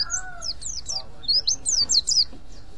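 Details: Mountain white-eye calling in ngriwik style to attract other white-eyes: a string of high, thin, descending slurred notes, several in quick succession, over a faint lower voice-like sound at the start.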